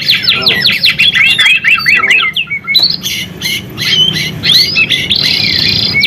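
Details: Shama lure song, white-rumped shama: a series of sharp down-slurred notes repeated quickly, then varied squeaky whistles and a high buzzy stretch, over low hum.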